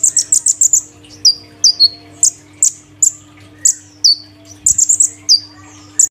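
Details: Sunbird (kolibri ninja), caged, singing loudly three days after a cage change: a quick burst of very high tweets, then spaced downslurred chirps and another rapid burst, with a low background hum.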